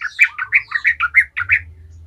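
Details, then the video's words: Yellow-vented bulbul (trucukan) giving a lively ngalas song meant to provoke other bulbuls into singing: a string of about ten short, rounded, bubbling notes at a steady quick pace, with a soft low hum behind. "Trucukan gacor ngalas ahlinya bikin trucukan lain kepanasan langsung jadi gacor ngalas"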